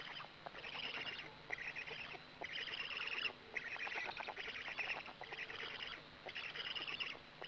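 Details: At a Gemenc black stork nest on the evening of 13 May 2017, as an adult arrives and feeds, rasping, buzzy bursts come in a steady run, roughly one per second, with scratchy clicks between.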